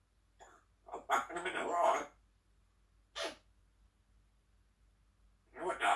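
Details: African grey parrot chatting in the morning indoors: bursts of speech-like mimicked chatter, a brief sharp clicky sound, then another short talking burst after a pause.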